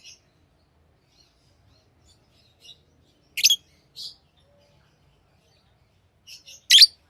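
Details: Pet lovebirds let out occasional shrill, high chirps: a loud double note, a softer single one, then after a pause a couple of faint peeps and a final piercing chirp.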